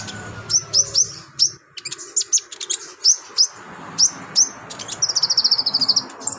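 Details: Olive-backed sunbird in active, lively song with imitated phrases, recorded as master material for training other birds; crisp high chips in irregular clusters, ending in a fast even trill of about eight notes per second.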